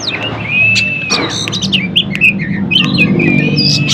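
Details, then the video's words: A white-rumped shama sings to provoke other shamas: long level whistled notes and clear slurred phrases with sharp clicks between, over a constant low hum. "kacer gacor paling di cari buat pancingan kacer lain"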